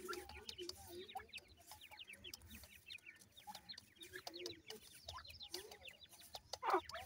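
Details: Several grey francolin chicks feeding and playing give rapid, overlapping high peeps, each a short falling whistle. Soft low clucks sit underneath, and one sharp louder note comes near the end.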